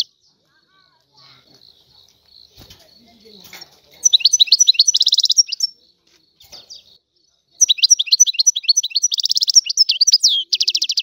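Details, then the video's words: Wild European goldfinch, named as Algerian goldfinch, opening with faint quiet notes before bursting into loud tinkling, trilled phrases, a pause, then a longer run of bright twitters and a buzzy trill. "تغريد طائر الحسون الحر"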